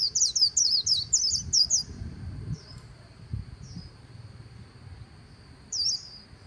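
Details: White-eye by the Kỳ Cùng river giving a short burst of rapid high twittered notes in the líu style for about two seconds, followed by sparse single high chips over a low background murmur.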